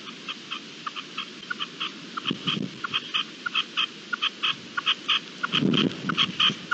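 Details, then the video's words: Partridge calling during a hailstorm on 16 April 2021: rapid, regular short clipped notes, several each second, over a steady hiss of hail with a few louder low thuds. "Granizada y reclamo de perdiz"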